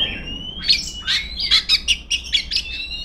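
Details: Short burst from a female Oriental magpie-robin calling rivals, a rising whistle followed by a rapid series of bright chirping notes, roughly one per second or faster.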